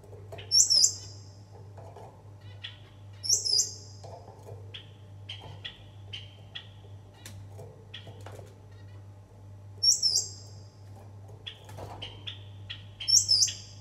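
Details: Gouldian finch in Qatar giving sharp, very high-pitched calls every few seconds, with softer thin notes between.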